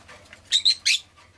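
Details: Rosy-faced lovebird making three quick harsh chirps with a slight whistled tone inside, amid a soft rustle from the pet bird's surroundings.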